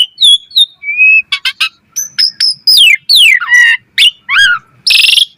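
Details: Asian pied starling in busy full song for tutoring other starlings: pure whistles, sweeping downslurred notes, clicking pulses and a final harsh rasp, delivered in quick varied phrases.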